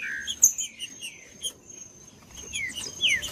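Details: Green-winged saltator singing, used to warm up and stimulate silent caged saltators to sing; scattered slurred, descending whistled notes, with a brighter downward sweep near the end, over a faint steady high-pitched tone.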